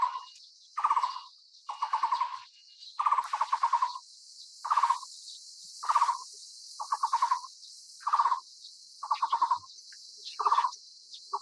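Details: Taiwan barbet, a bird endemic to Taiwan, recorded while feeding a chick. It gives short rattling bursts of rapid low notes, each about half a second long, repeated roughly every second, over a steady high-pitched hiss.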